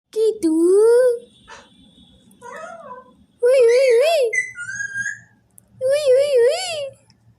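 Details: A talking parrot produces loud, speech-like phrases with a wavering, harmonic-rich voice, in three bursts separated by short pauses. A brief higher whistled note falls between the second and third phrases, against a quiet indoor background.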